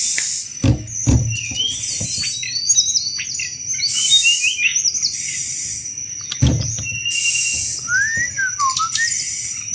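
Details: Sunda robin (tledekan gunung) in lively 'cetrekan' chattering song, kept to draw in thrushes: quick high warbled notes and downslurred whistles, a few sharp knocks and a constant thin high whine behind.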